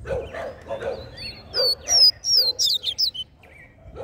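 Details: Coleiro singing in the mateiro style, played to stimulate males: a fast run of loud, high whistled notes, many sliding downward, after low bark-like yelps at the start.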